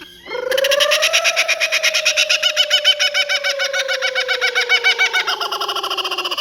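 A Laughing Kookaburra gives its loud, raucous laugh, a rapid run of harsh chuckling notes, about three or four a second, over a long steady tone.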